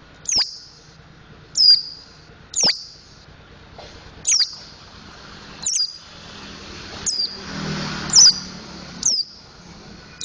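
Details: Young mountain white-eye practising the ngriwik and ngeplong song styles, giving sharp high downslurred whistles repeated roughly every one to one and a half seconds, eight notes in all, with faint hum and rustling beneath.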